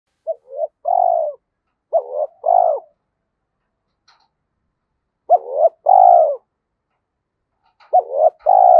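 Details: Spotted dove used as a decoy bird, cooing quickly to provoke rivals: short grouped phrases of a soft lead note and a longer, slightly falling coo, repeated three times with silent gaps.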